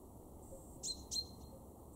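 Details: A male chaffinch in a garden in Weener, East Frisia, northwest Germany, in March 2023 gives two short, sharp, high metallic notes about a third of a second apart over a steady low background rumble.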